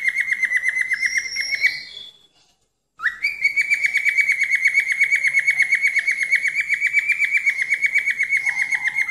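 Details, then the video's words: Falk bird trill used as a training recording: a rapid rattling trill, then a short gap, then a rising start into a long steady trill, with a faint lower whistle near the end. "SIULAN BURUNG FALK"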